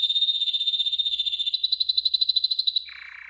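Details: Training song from a yellow golden canary: a pure, steady high trill that becomes a faster pulsed roll, then drops into a lower, rougher chattering tour.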